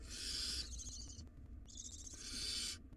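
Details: Wild barn owl nestlings in a nest box tugging at a large rodent: two long harsh screeching hisses, each over a second, dropping slightly in pitch toward their ends, with a short gap between.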